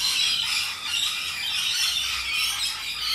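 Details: Rainbow lorikeets, bold social parrots in the wild in Australia, filling the air with a constant, shrill, buzzy screeching from many birds at once, with thin whistled notes mixed in.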